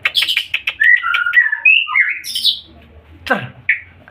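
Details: White-rumped shama in full, active song: a rapid jumble of short chirps, then varied whistled and warbled notes stepping up and down, ending with a brief sweeping rasp and a last short whistle over faint low hum.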